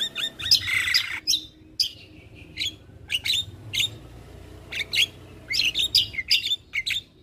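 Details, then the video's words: Javan myna in full song, meant to prompt quiet captive mynas to respond; a harsh buzzy opening is followed by spaced, sharp high chips and short whistled notes in quick pairs and trios. "Jalak kebo gacor"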